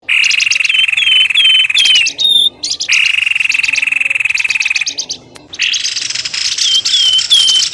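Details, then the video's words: Bird lure calls used to draw birds out of bushes: long, loud buzzy trills alternate with rows of short, sharp whistled notes that slide downward, the pattern repeating about every three seconds. "SUARA PIKAT BURUNG pelamboyan ribut 💯‼️gk pake lama langsung kluar dari semak belukar"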